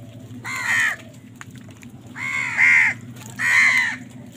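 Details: Three drawn-out, hoarse crow caws, spaced about a second apart, as crows fight for food over a low, constant background hum.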